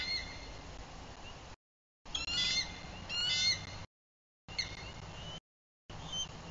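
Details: Bald eagles at a nest in Bluff City, Tennessee, stirred by an intruder in their territory at sunset; several short high, squeaky chattering calls in broken bursts, with steady outdoor background noise.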